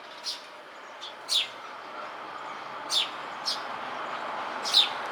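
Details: Eurasian tree sparrow on a house beam, uttering short high chirps at irregular intervals, some louder and some faint, over steady traffic-like background rumble.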